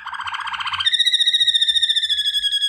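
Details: Waterslager canary for training, a low bubbling trill rising into a long steady pure whistle with a fine rapid quaver.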